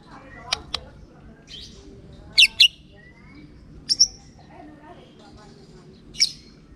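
White-rumped shama giving sharp, high chips and brief clear whistles in scattered bursts every second or two, over a faint low hum.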